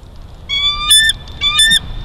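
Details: Juvenile bald eagle grabbing food at Big Bear Valley on 5 December 2022: two whistled squeals, each steady then breaking into a brief harsh, buzzy end, against a quiet outdoor background.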